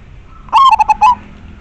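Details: Zebra dove of local stock, kept as a lure for wild doves, giving a single strong cooing phrase: a drawn first note followed by three or four rapid, bubbling syllables, loud and clear.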